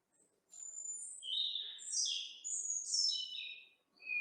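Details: European Robin song in the Sierra de Andújar Natural Park, Sierra Morena, Spain: thin, high, wistful phrases of shimmering notes sliding up and down, each phrase differing from the last, with short pauses between.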